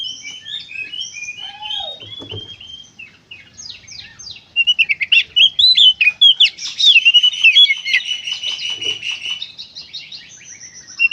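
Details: Oriental magpie-robin in lively konslet-style song, used to prompt other magpie-robins to sing: a varied stream of short whistles and chirps, building to loud, rapid, scratchy phrases and warbled runs.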